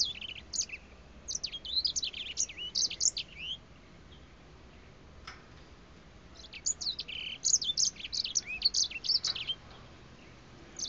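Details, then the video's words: A breeding grey finch sings from close range, bobbing its head. Two bursts of rapid, high warbling whistles with twisting, slurred notes are separated by a quiet gap, over a steady low hum. "小灰燕近距離唱歌 Grey Finch"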